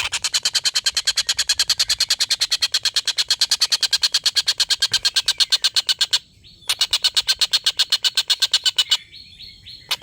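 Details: Collared kingfisher's long laugh, used to tutor contest birds sought by white-rumped shama keepers. The call is a dense, fast, harsh pulsed series sustained for six seconds, with a brief gap and two more bursts.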